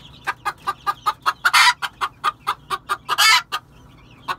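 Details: Red junglefowl giving a rapid run of short, sharp clucking notes, about five per second, interrupted twice by loud, harsh, rasping squawks, over a quiet background.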